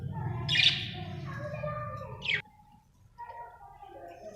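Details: Happy budgie with a loud harsh chirp, then a long soft warbling chatter and a second short chirp, before quieter warbles over a faint hum.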